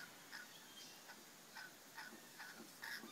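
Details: Rainbow lorikeets mating in the bush give short, harsh chittering notes about every half second, fairly faint over a steady hiss of background noise.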